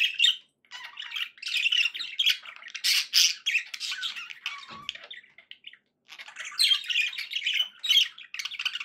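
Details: Indoor pet budgies warbling, a busy stream of raspy chatter and sharp squeaks, louder bursts near three seconds, then a pause before chatter resumes.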